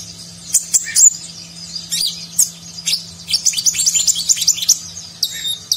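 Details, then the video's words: Energetic konin (kolibri ninja, a nectar-feeding sunbird) song in 'nagen' style with a rich fill, meant to train contest birds; scattered high chirps build into a dense run of rapid, sharp notes near the end, over a low hum. "Konin Gacor Isian Mewah Gaya Nagen, Cocok Untuk Masteran Burung Lomba"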